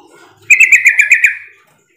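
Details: Lure call of a sooty-headed bulbul, meant to make other bulbuls reply, heard as a brisk chattering string of about seven clear chirped notes, evenly spaced, then tapering away into silence.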